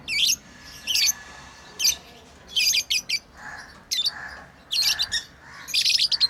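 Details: Lovebirds kept as pets chirping while playing: harsh, high chirp bursts, some doubled, interspersed with softer lower squeaky notes toward the end.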